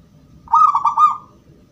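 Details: Crystal-voiced song of a gedong mengo zebra dove, used as a lure that other doves answer: a single loud, warbling coo phrase of rapid joined notes over a low background hum.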